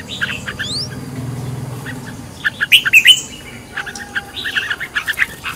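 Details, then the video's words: Red-whiskered bulbul heard as a decoy bird being trained in the fiery căng lửa style: after a quiet, hum-filled start, sharp chirps and short whistled notes burst out mid-clip, then scattered lower chirps follow over steady background noise. "Cách luyện chào mào mồi - căng lửa| luyện chào mào thành mồi, luyện giọng chào mào hót hay"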